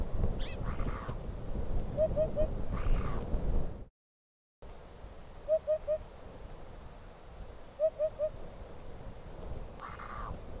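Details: Eurasian hoopoe recorded in the wild, giving three-note series of mellow, low hooting oop-oop-oop calls at steady intervals over a rough, rumbling background, with a brief silent gap and faint distant calls.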